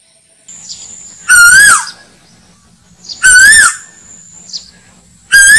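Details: Asian koel lure call for slingshot bird hunting: a single loud, rich swooping note that rises then dips, repeated about every two seconds over a faint steady high whine.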